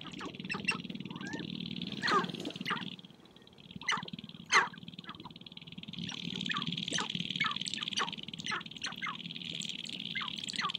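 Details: Spring lek of sharp-tailed grouse on prairie hilltops, birds dancing and fighting for females; sparse sharp clucks and brief cackles, with a couple of louder calls and a constant high buzzing drone.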